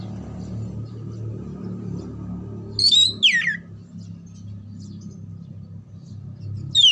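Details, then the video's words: Oriental magpie-robin song meant for contest training: a single loud descending whistled phrase midway, with another phrase starting at the very end, over a steady low droning background hum. "TERAPI SUARA KACER"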